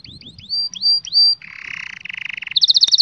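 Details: Canary song recorded for training young canaries: a run of rising whistled upslurs, then a buzzy rasping roll, a rapid pulsed trill, and a fast bright high trill at the end.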